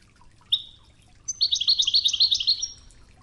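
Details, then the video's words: European goldfinch training song in the wadani style, set with river water sounds; a short high buzzy note, then a rapid run of bright, tinkling, twittering trills repeated about four per second for a second and a half. "الشريط الويداني الأصلي توغزة بنغمات خرير مياه الأنهار"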